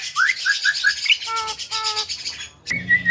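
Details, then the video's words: Javan myna singing for other birds to copy: a quick series of rising whistled notes, then two steady, pure, level whistles, ending in a harsh burst. "MASTERAN BURUNG JALAK KEBO SUPER GACOR"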